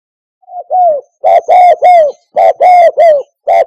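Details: Spotted dove call used as a lure for hunting doves from a hide: loud, low, hoarse coos in a stuttering phrase, a short note then paired and grouped downslurred coos with strong overtones, repeated.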